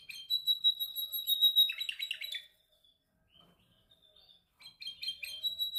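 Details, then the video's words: Canary practising its song during training: a bright steady whistled note broken by a fast rattling trill, a short near-silent pause, then the high whistles resume with clipped chirps. "Your canary sings immediately when he listens to this canary singing"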